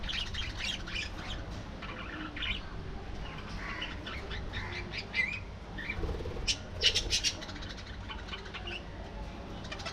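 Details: Budgerigars in a colony, a flock chattering together: scattered squawks and chirps with a busier burst of sharp calls near the seventh second, over a low background rumble.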